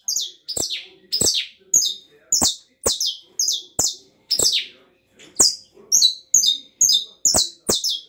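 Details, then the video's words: Canary singing in the 'estralado' song style: harsh, crackling, downward-sweeping high notes repeated about twice a second, with sharp clicking cracks between phrases and a brief pause midway. "CANÁRIO CANTO ESTRALADO"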